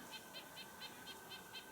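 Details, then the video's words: Several white-breasted nuthatches, maybe about five, at a lake on a rainy, stormy day give short, nasal, high notes repeated about four times a second, fairly faint over a steady background hiss. "Sounds like a white-breasted nuthatch."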